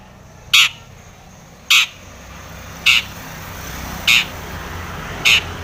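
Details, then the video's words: Long-tailed shrike singing vigorously with mimicked fill, meant to provoke other shrikes to sing: five harsh, rasping notes spaced a little over a second apart, over a faint background rumble. "SUARA cendet gacor full isian TOMICENG pancingan cendet agar bunyi"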